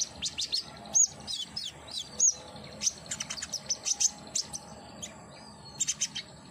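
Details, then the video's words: Common iora used as therapy to get a caged bird singing actively: sharp high chirps and short down-slurred whistles in quick irregular bursts, with a faint steady insect-like hiss underneath. "terapi konin agar gacor !! hitungan detik langsung nyaut"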